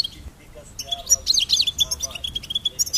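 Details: Goldfinch song: a lively burst of high, tinkling chirps and twittered notes, about four per second, mixed with a few lower soft whistles.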